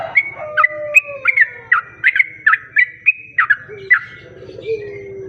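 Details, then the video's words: Sooty-headed bulbul song used as a lure for other bulbuls: a lively run of bright, short whistled notes, several slurred downward, delivered about three per second, with faint lower calls and a steady low hum beneath. "Pancingan burung trucuk"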